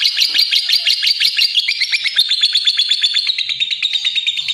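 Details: Lovebird singing a rapid, high chattering trill of sharp chirps, about three per second, strong and steady throughout with a faint hiss underneath.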